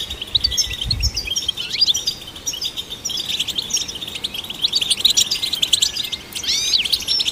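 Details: Goldfinch song for stimulating other goldfinches: a steady stream of high chattering twitters and quick slurred notes, with a few sharp upswept whistles toward the end over a soft background hiss.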